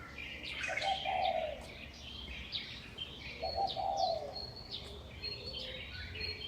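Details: Dawn birds, about 5:25 am, May 2019, perched on wires and poles in a Taipei residential community, Taiwan: two low, throaty coos a few seconds apart amid a busy chatter of high, clipped chirps.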